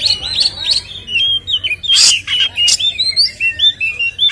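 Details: Energetic white-rumped shama song used to rile up caged shamas: a rapid string of clear, bending whistles and warbled notes, with one harsh rasping burst near the middle.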